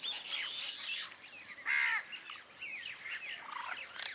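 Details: Common myna near Jal Mahal, Jaipur, December 2021, with a pair of bank mynas nearby: a busy run of squeaky chatters, whistles and gurgling notes, with a louder harsh squawk near the middle.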